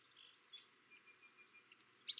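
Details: Willow Flycatcher, breeding in summer at Kankakee Sands, Newton County, Indiana, gives a single sharp, sneezy two-part 'fitz-bew' near the end, with faint high chirps from other birds throughout.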